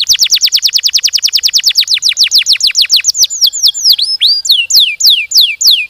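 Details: Canary song intended to coax other canaries to sing: a rapid roll of descending whistled sweeps about six per second, slowing into spaced, looping and swooping whistles.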